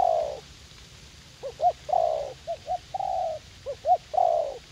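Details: Spotted dove decoy, young and eager to fight, recorded in a garden at U Minh; gentle repeated coos, a long croon then short paired hoots and another long falling note, low steady noise underneath.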